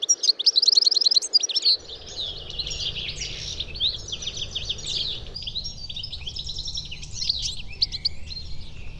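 European Goldfinch singing a rapid, liquid, tinkling cascade of high twittering notes, opening with a quick burst of repeated chirps; a low hum of background noise underneath.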